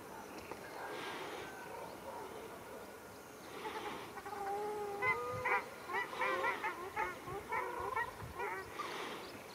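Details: Ruddy shelducks fighting at Arucas, Gran Canaria, on 13 February 2021: nasal honking calls build up in loud bursts, with repeated short stacked notes in quick series over steady background noise.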